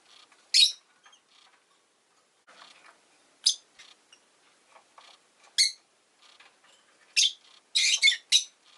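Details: Rosy-faced lovebird, a pet, chirping repeatedly: loud shrill harsh high chirps every one to two seconds, ending in a quick burst of several rasping calls, with soft rustling between.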